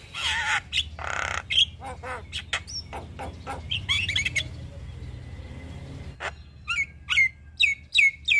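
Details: Javan myna (jalak kebo), white-eyed form, nodding as it sings a full isian song: rasping bursts and clicking notes, a quieter stretch, then a run of sharp whistled, downslurred phrases.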